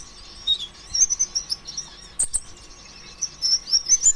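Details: Thin, very high whistled sunbird phrases mixed with scratchy chirps, repeated in quick runs, meant to spur other sunbirds into song; a low steady hum sits underneath.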